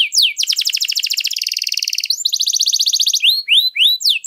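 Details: {'caption': 'Canary in long song for training other birds: dense, fast mechanical trills in several pitch bands with almost no pause, followed by spaced, rising slurred whistles.'}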